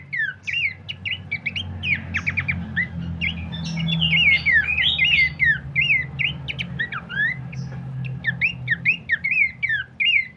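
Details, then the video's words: Lure and training master recording of Horsfield's babbler: a busy, continuous run of quick chirped and slurred whistles, some dipping and some rising, packed closely for ten seconds, with a constant low hum underneath. "pancingan dan masteran terbaik mewah khas burung pelanduk semak"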